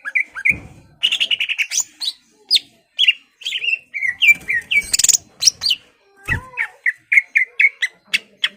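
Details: Energetic greater green leafbird song meant to provoke an opponent into fighting: warbled trills, upslurred whistles, and a string of short repeated chirps, broken by a few low knocks and a wing-like flutter.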